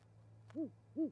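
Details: Great horned owls feeding at an osprey nest in Charlo, Montana, in winter, 20 January 2020, recorded by nest camera; a brief click, then two full low hoots with arched tone about half a second apart over a faint electrical hum.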